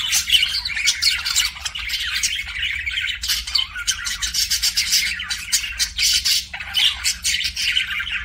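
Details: Pet budgerigar kissing sounds: dense, continuous warbling chatter of scratchy chirps, clicks and squeaks, barely pausing, over a quiet low background hum.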